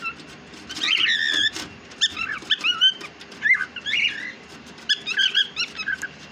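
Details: Chattering pet cockatiel with a steady run of squeaky, warbled notes and short whistles, some clipped and some sliding, spread across the whole stretch.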